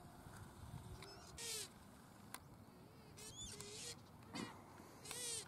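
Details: A pukeko (Australasian swamphen) at a Christchurch, New Zealand park in April 2019 gives four harsh, screechy squawks about a second apart, with soft low piping notes and steady background hiss.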